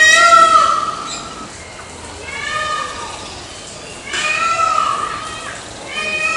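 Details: Peafowl giving loud, mewing wails, one fading from the start, then longer falling cries spaced a couple of seconds apart, the last starting just before the end, with light background hiss.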